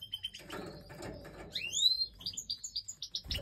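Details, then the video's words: European goldfinch, Major, feeding chicks during breeding time; a rising whistled slur followed by a string of short high chirps about four to five per second, with some low shuffling. "Goldfinch Breeding Time 🐣Feeding Chicks"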